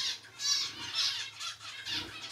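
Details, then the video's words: A three-month-old common hill myna (Gracula religiosa) chick, not yet able to talk and of unknown sex, gives four harsh, hissing, rasping squawks about every half second, high and noisy with no clear tone. "九官鳥の鳴き声｜お喋りできない生後3か月の赤ちゃんです Crying Myna bird"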